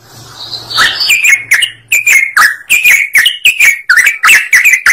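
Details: Yellow-vented bulbul in busy, chattering song, meant to spur other birds to sing: a rapid series of short, bright, slurred notes at roughly four per second, each with a sharp clicky onset, running continuously.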